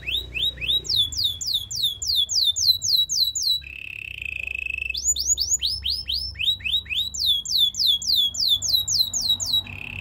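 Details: Belgian singing canary, a special singer for teaching other canaries, pouring out series of quick high slurred whistles, broken by a short steady buzzy roll, then more rapid slurred phrases and another roll at the end.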